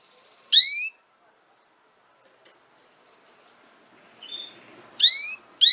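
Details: Canary sound used to help young canaries learn to sing: loud, upswept, ringing notes at the start and end, with thin, faint whistles and soft rustling in between.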